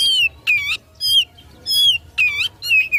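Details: Oriental magpie-robin, singing to provoke rivals in a fighting mood, giving clear slurred whistles that drop in pitch, alternating with short harsh buzzy notes, about two phrases per second.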